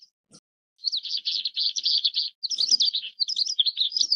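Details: Oriental skylark, Alauda gulgula, pouring out a sustained, high-pitched warble after a single short note, a dense stream of quick trilled and buzzy notes with one brief break.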